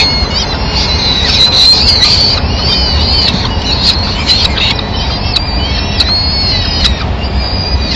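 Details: Peregrine falcon at a nest in Madrid on 27 April 2016, as the female enters and searches for scraps to feed her chicks; drawn-out, wailing harmonic calls in a loose series over a constant low rumble.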